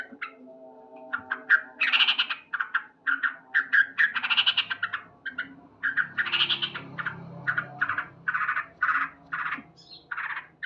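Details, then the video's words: Male sooty-headed bulbul singing loudly at dawn, with grating chattering bursts interleaved with quicker clipped notes throughout. "Terapi Burung Trucuk Gacor"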